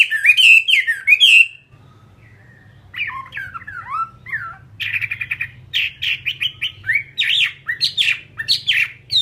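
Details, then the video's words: Hwamei of the fighting type delivering bright whistled trills, a short quiet gap, then a fresh run of rapid, varied, sharply modulated notes repeated in fast bursts over a faint low hum. "Họa mi chiến"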